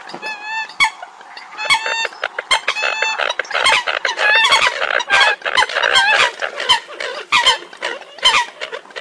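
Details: Eurasian coots from a recording made abroad. Several drawn-out nasal buzzes come first, then a dense, excited chorus of overlapping sharp, clucking calls.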